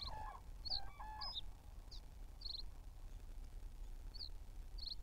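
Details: Trail-camera recording from 8 May 2023: common cranes give a few brief, hoarse trumpeting notes in the first second over a steady low rumble, with thin high chirps from small birds throughout.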